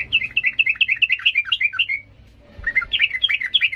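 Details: A sooty-headed bulbul in agitated 'ngalas' song, used to train young birds: a rolling run of chirpy warbled notes, a short gap with a faint knock, then another busy burst of bright twittering.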